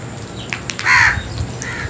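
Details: ['Crow giving a single loud, harsh, nasal caw lasting about a quarter second, with a fainter call after it, amid steady outdoor background noise and scattered clicks.']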